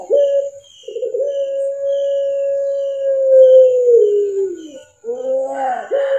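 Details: Kept Barbary dove, puter pelung style, mastered recording: a short opening note, a pause, then a sustained coo of almost four seconds that sags in pitch at the end, followed by a brief rising call.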